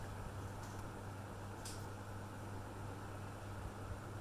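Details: An indoor room carries a steady fan-like hum with two faint brief clicks, and no animal sound is heard.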